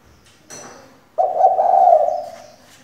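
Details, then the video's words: Female spotted dove kept as a decoy to stir males into calling, giving one long, low, drawn-out coo of about a second that swells then fades. A faint brief rustle comes before it in a quiet indoor setting. "Cu gáy mái mồi căng đét thúc bổi mở mỏ ngay!"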